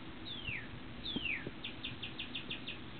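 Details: Northern cardinal singing from a dogwood tree outside a sunroom: two clear downslurred whistles, each sliding from high to low, then a quick run of about eight short, evenly spaced notes, over a low background hum.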